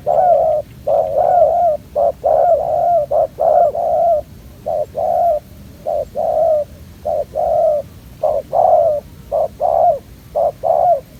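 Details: ['Spotted dove, an aggressive young wild male without its full neck collar, at a ground decoy trap: a long sequence of low hollow coos in short-long pairs, nearly one per second.']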